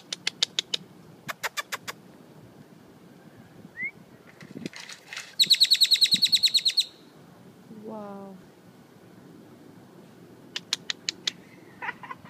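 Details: Bird known as a typewriter bird, making weird clicking sounds: scattered sharp clicks, then a fast, even run of loud clicks like typing lasting over a second. Odd short chirps and a low murmur follow, with people exclaiming nearby.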